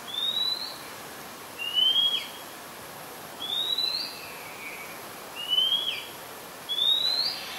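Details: Oriental magpie-robin, a very common resident at Ubon Ratchathani, Thailand, 2 July 2022, captured on a Nikon P1000: five clear rising whistles, each briefly slurred, repeated roughly every one and a half seconds over a faint background hiss.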